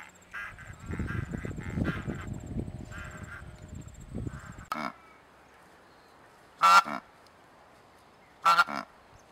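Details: Cape Barren Goose from southern Australia and Tasmania, a grey goose of coastal plains and pastures: loud harmonic honking calls mixed with a low rumbling background in the first half, then two sharp, resonant calls about two seconds apart in quiet.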